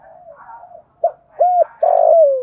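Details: Thổ-voice spotted dove cooing to entice wild doves: soft low murmuring, then a short note, an arched coo, and a loud, long, rough coo gliding steadily lower.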